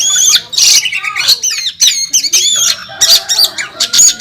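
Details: Oriental magpie-robin, first-place national champion, pouring out combative contest song: squealing upslurred whistles, buzzy chatter and clipped metallic notes in rapid succession, loud and continuous.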